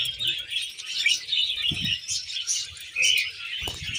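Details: Happy tame pet budgies and cockatiels chatter together in a continuous, high, warbling stream of chirps and twitters.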